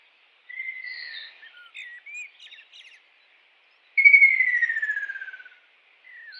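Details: Wild kingfisher calling: a short chattering series of whistled notes, then a long loud whistle sliding steadily downward and ending in a fading trill, in a quiet natural setting.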